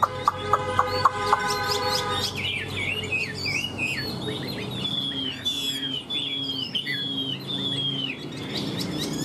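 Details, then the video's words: Hwamei kept in a cage, tame and fan-tailed, sold for its fine voice. A few seconds of harsh clucking notes give way to fluid, swooping whistled phrases repeated in quick succession. "Họa mi giá rẻ cho anh em về chăm thêm, đuôi xòe giọng hay"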